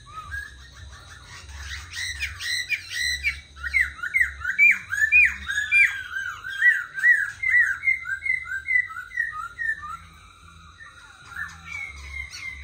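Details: Tame black laughingthrush in a cage set on a table, singing a long, lively phrase of rapid varied chirps and slurred notes, busy and irregular, building in the middle and trailing off toward the end, with a steady low hum behind.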